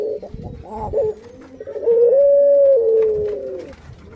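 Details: Pet puter pelung dove hen about to lay eggs gives a drawn-out, level coo lasting over a second after softer broken notes, with other doves cooing faintly in the background.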